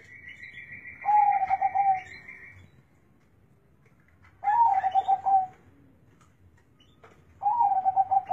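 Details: Deep, big-voiced zebra dove song: three rolling coo phrases, each about a second long with a rapid pulsing quaver, spaced roughly three seconds apart; a thin, steady whistled tone sounds alongside before the first phrase.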